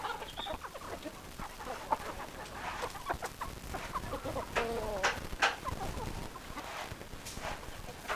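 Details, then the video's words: Chicken flock with hens clucking; scattered short clucks and a few drawn-out squawks, one wavering call standing out after the halfway point, amid constant low background murmur. "Chicken Sounds Noises Hens Clucking Roosters Crowing"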